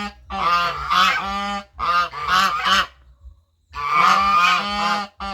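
A goose gives loud, nasal, brassy honks in quick runs of two to four, with short pauses between bursts; no other sounds are heard.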